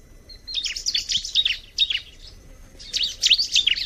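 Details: Bar-winged prinia singing two lively phrases of rapid, high, scratchy chirps and zigzag notes, each lasting over a second with a short pause between, over a soft low background rumble.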